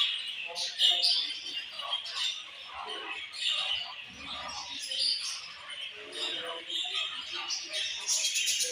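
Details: Several pet budgies chattering at once, busy warbling and scratchy chirps layered continuously, rising and falling in loudness with no pause.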